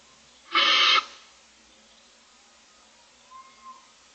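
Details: Barn owl owlets, six of them, in a nest box on camera on their 25th day in the morning. They beg for food with one harsh, hissing screech lasting about half a second, followed by near silence and a faint tone.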